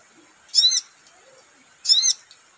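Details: Sogon bird giving two high, slurred, ringing whistled phrases more than a second apart, with a faint steady hiss behind them.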